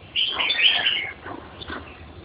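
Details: Red-whiskered bulbul giving a single warbling phrase of tumbling whistled notes lasting about one second, followed by softer faint notes over a low hum.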